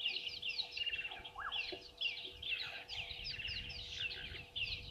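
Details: At a South African waterhole in the Sabi Sand Wildtuin, red-billed buffalo weavers keep up a thick, high-pitched twittering, short chirps packed closely together, with a couple of lower downslurred notes early on.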